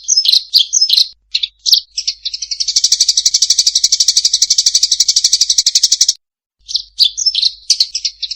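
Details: A few abrupt, high chirps from a fighting Eurasian tree sparrow lead into a long, dense, buzzing chatter, then silence and a fresh cluster of quick chirps.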